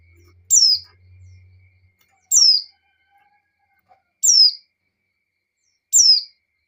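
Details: Female white-eye in breeding condition calling the male: four high, downward-slurred notes at roughly two-second intervals, with a low hum at the start.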